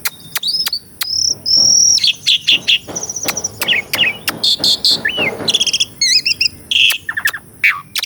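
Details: Caged-bird training song of an Asian pied starling, recorded with a Sony A6400: long level whistles, then a dense run of clicks, buzzy rattles, an upslurred whistle and wavering high notes.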